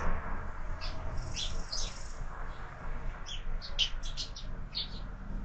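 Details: Sparrows at a window feeder where birds are fed all year, at breakfast: a few soft chirps early, then a tighter cluster of sharp, clipped chirps in the second half, with low hum beneath.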